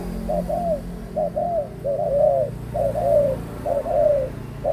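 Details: Soft, hollow cooing from an adult spotted dove. Paired short-then-long coo phrases come in clusters with brief pauses between, over low steady background noise.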